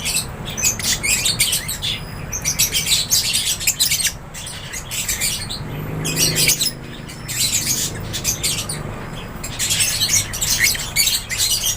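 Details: Flock of lovebirds kept in an aviary, calling steadily in shrill, scratchy chirps that crowd over one another, with a brief lull near the middle before the chatter resumes.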